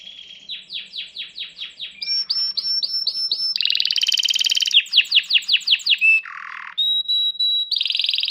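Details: Canary singing, recorded on 26 August 2022: a varied song of rapid repeated sweeping trills that change type every second or two, with buzzy rattles, a lower rolling passage and a sustained high whistle near the end.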